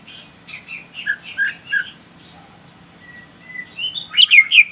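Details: Greater green leafbird singing energetically, calling a rival: a run of short, varied chirped and warbled phrases, then a quieter pause with thin rising whistles, ending in a louder burst of sharp, jumbled notes.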